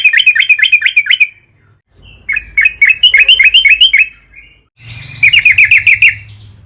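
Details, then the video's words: Sooty-headed bulbul singing, used as a lure to get others of its kind to sing: three separate bursts of fast, repeated, bright chirping notes, each lasting about a second or two, with brief quiet gaps. "burung trucukan gacor PANJANG buat PANCINGAN TRUCUKAN AGAR BUNYI"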